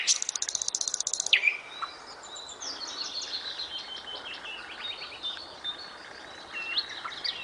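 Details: Song of a nightingale: a fast, buzzy, evenly pulsed trill, then a sharp rising whistle, followed by a long run of varied high twittering phrases.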